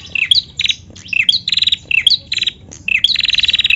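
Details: Calling female bar-winged prinia, played to stimulate singing: high sharp chirps, each followed by a dry rapid buzzing rattle, repeated roughly every half second with the final buzz the longest.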